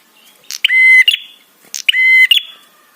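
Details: Prinia 'trapi' call used to excite and draw replies from other birds. Two strident, buzzy, harmonic rasps about a second apart, each opened and closed by a sharp tick.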